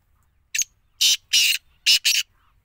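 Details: Black francolin giving harsh, grating, high bursts: one short note, then two longer rasping notes, a gap, and two more in quick succession, over quiet background.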